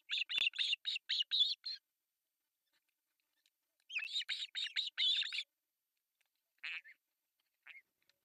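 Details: Three osprey babies beg for food at breakfast on an artificial nest in Finland's Pohjois Satakunta, July 1, 2024. Fast strings of shrill, buzzy cheeps come in two bursts, with a few lone notes after.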